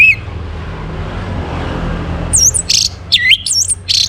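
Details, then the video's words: Orange-headed thrush singing in the morning, used to bring other birds into breeding condition. After a quiet start, very high looping squeaky whistles and sharp chirps tumble rapidly, over a soft low hum. "Naikan Birahi ANIS MERAH pancingan PAGI HARI"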